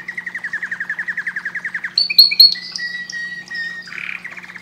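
A canary sings a fast, even trill of about twenty notes in two seconds, then bright whistled notes and rolling phrases; a steady low hum runs underneath.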